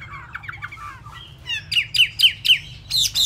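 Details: Chinese hwamei singing with wet feathers: soft warbled notes give way to a string of loud, sharp, downslurred whistles repeated about four times a second, ending in a ringing note.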